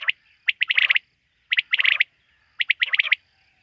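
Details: At night, quail, which are hunted locally, give clustered calls: three bursts, each a quick sequence of sharp notes merging into a short rattling flurry, roughly one burst per second.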